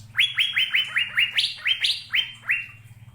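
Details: Asian fairy-bluebird, a songbird of Indonesia, giving a rapid string of about a dozen sharp, rising whistled notes, several pitched higher than the rest, over a faint low hum.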